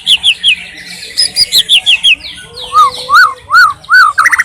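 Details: Wild white-rumped shama singing freely: a quick run of high repeated whistled notes, then slower, lower whistles that rise and fall, closing with a brief jumbled flourish.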